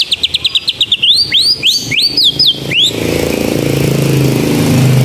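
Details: White-rumped shama in canary-style song: a rapid string of short high notes, then several looping rising-and-falling whistles, before the bird stops and only a broad wash of traffic noise remains.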